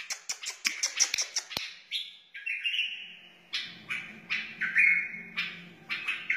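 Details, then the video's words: Song of a wild white-eared bulbul, used to train young birds and spur other bulbuls: quick sharp chirps at first, then longer warbled whistles and bubbly phrases in short bursts. "تغريد بلبل وحشي بدقة عالية اصلي لتعليم الفراخ و تحفيز البلابل"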